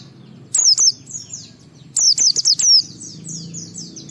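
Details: White-eye song intended to draw other white-eyes into singing: two bursts of bright, very high down-slurred whistles, the second a quick run of four or five notes, followed by softer chirps.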